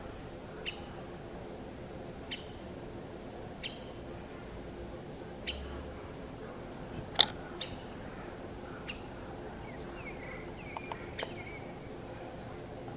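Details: Syrian woodpecker recorded on 20 June 2019; sharp, short, high kik notes given singly at irregular intervals of one to two seconds, with a steady low background hiss.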